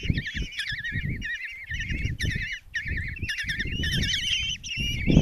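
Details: Five common kestrel chicks in a nest box at Tiszalök, Hungary, being fed breakfast by their mother on 26 June 2024: constant overlapping shrill, wavering, trilled begging calls, with low rumbling knocks and bumps underneath.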